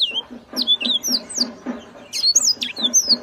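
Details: Yellow-fronted canary giving its loud, characteristic song: high, sweet whistled notes that slur down and up in quick varied phrases, with a steady low pulsing thump repeating underneath.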